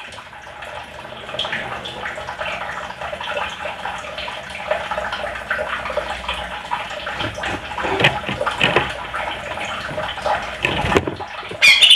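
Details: Steady rushing, splashing water noise like a filling tub or running tap, with no clear animal calls.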